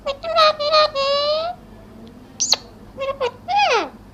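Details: Parrot calling: a series of harsh nasal notes, then a long buzzy held note, followed by a sharp high downward whistle and a couple of squawks, with a falling scratchy call at the end.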